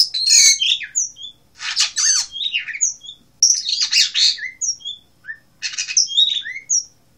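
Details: Blue rock thrush singing in Asia: scratchy, chattering bursts every couple of seconds, mixed with short high whistled notes.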